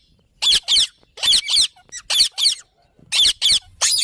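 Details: Loud, harsh screeches from a green parrot, mostly in pairs separated by brief silences, with a few faint, lower, slurred notes between them.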